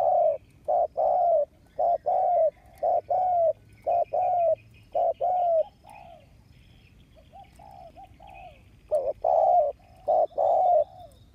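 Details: Ground decoy spotted dove calling to draw in wild doves, August 2021: a long run of hollow coos in paired short-long notes, steady at roughly one per second, pausing briefly before resuming with softer then louder phrases.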